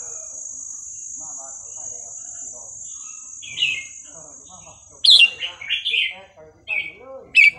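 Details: Burmese-style song of a red-whiskered bulbul, played to teach young birds: quiet twittering gives way to loud clipped whistled phrases of quick up-and-down notes, with a steady high whine fading out midway.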